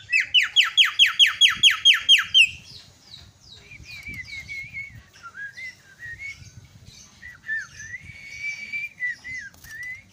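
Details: Myna calls played to excite a bird that has stopped singing: about ten loud, evenly spaced buzzy notes in quick succession, followed by softer wavering whistles and thin chirps.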